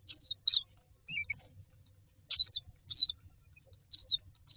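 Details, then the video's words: Nestling mynas lined up in a nest box, waiting to be fed, give short, squeaky, wavering cries in scattered bursts separated by brief silences. "Myna chicks are standing in a row waiting for food"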